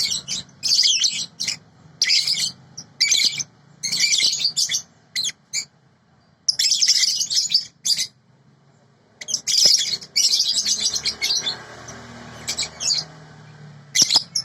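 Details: Sooty-headed bulbul tutor recording with a clean voice: repeated short bursts of high, buzzy twittering broken by frequent pauses, plus a longer fainter rustling stretch near the end.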